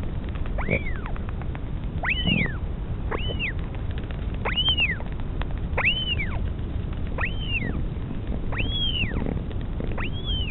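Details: Northern royal albatross, a mother feeding her chick at the nest in the colony at Pukekura/Taiaroa Head near Dunedin, New Zealand; a series of thin, high arched whistled calls about once a second over steady low rumbling wind.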